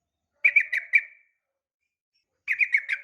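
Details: A female sooty-headed bulbul calling to a male gives two short phrases of four quick, bright, slurred notes, separated by over a second of silence, with a clean, quiet background.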